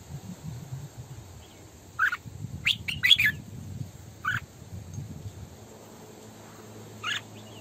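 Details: Red-whiskered bulbul decoy, female, in 'sổ bọng căng' song. Several sharp warbled notes and a short jumbled phrase sound over low rumbling background noise. A final isolated note follows after a pause.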